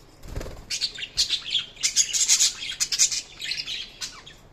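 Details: Budgerigars chirping loudly in a dense, continuous run of high, buzzy, scratchy warbled notes with short squawks, after a low thump at the start.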